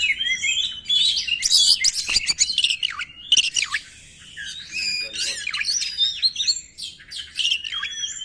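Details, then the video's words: Energetic white-rumped shama song played to provoke and train other birds, loud harsh squawks and chattering bursts mixed with high whistled notes, crowded phrases with brief gaps, low background hum. "PANCINGAN SUARA BURUNG KACER | KURANG EMOSI | SUARA KACER KONSLET!!!"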